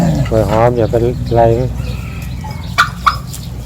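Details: Turkeys in a village calling: several drawn-out, buzzy, harmonic yelps in quick succession, followed by two short sharp clucks against a low rural background hum.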